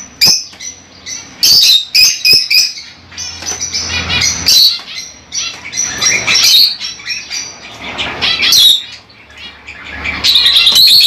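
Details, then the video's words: Lovebirds chatter in shrill, overlapping chirps and squeaks, loud bursts alternating with softer stretches. "LoveBirds Sounds For 30 minutes"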